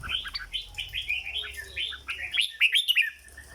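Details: Caged red-whiskered bulbul in 'dok' song, a legendary singing style: a rapid chain of cheerful chirped and warbled notes, about four a second, climaxing in loud piercing whistles near the end.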